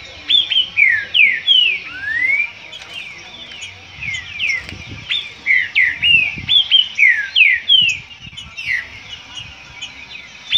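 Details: Disputing green-winged saltator pouring out rich whistled phrases, each made of rapid slurred notes sweeping down or up, repeated in loud bursts with short pauses between them.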